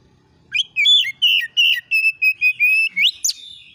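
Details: Oriental magpie-robin song from a lure recording meant to make others answer: after a brief pause, loud whistled notes follow in a regular series, some slurred down, ending with a quick rising sweep.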